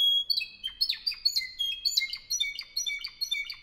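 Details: Spanish Timbrado canary, bred in 2015 in Albacete, Spain, sings steady bursts of piercing notes and descending clicks, tightly spaced in an unbroken, bouncy sequence.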